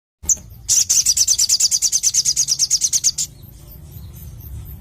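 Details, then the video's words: Crimson sunbird, a lively 'gacor' singer with a clear, open voice: a rapid, high, metallic trill of sharp notes, about eight per second, running close to three seconds after one lead-in chip, over a faint low hum. "Masteran Sogon Gacor Suara Plong ( Burung Sogon Gacor )"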